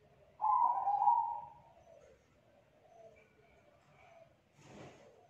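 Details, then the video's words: Young wild spotted dove, 'kuk 2' type, with a thick, loud voice: one strong low coo, then faint quieter notes and a brief burst of rustling near the end. "Tekukur KUK 2 Gacor Suara TEBAL Volume KERAS MERDU"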